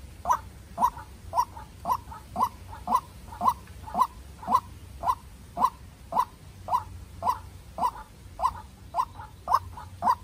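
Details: Farm-bred young White-breasted waterhen used as a decoy, dueling with a wild bird: long, very even sequence of about twenty loud rasping notes, each trailed by a softer note, near two per second.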